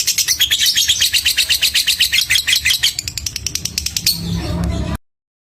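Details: Fighter lovebird tested for mental strength, ticking in a quick run of sharp high clicks that speed up and thin out before stopping abruptly, followed by silence.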